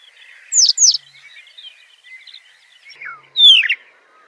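Citrine Wagtail singing: two quick, high, down-slurred notes, then a louder slurred phrase dropping in pitch, over faint twittering from other birds.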